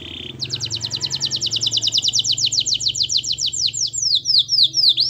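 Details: Canary (kenari) master song for training other canaries to sing: a brief steady whistle, then a long rapid trill of repeated sweeping notes that speeds up and breaks into louder, wider swoops at the end.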